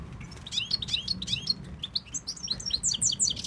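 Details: European goldfinch (Tunisian type), a male being urged to call his female, sings a fast, tinkling run of bright twittering notes and liquid trills, high-pitched and varied, with a faint low hum beneath.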